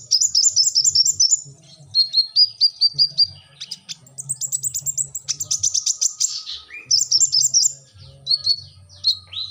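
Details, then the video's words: Brown-throated sunbird (kolibri ninja) in full 'gacor' song: almost continuous high, tinny note strings, some rapid and trilled, others slower and dropping in pitch, with a brief lower buzzy phrase near the end. "kolibri ninja gacor"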